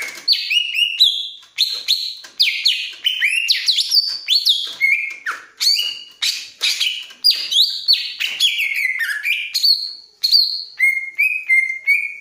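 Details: A greater green leafbird eager to mate sings a long, continuous medley of quick varied whistles, slurs and chatter, barely pausing for twelve seconds.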